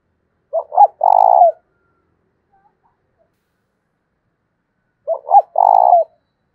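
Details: Decoy spotted dove challenging another male to fight, voice style thổ đồng: the phrase of two short notes and a long rolling coo is heard twice, about four and a half seconds apart, with silence between.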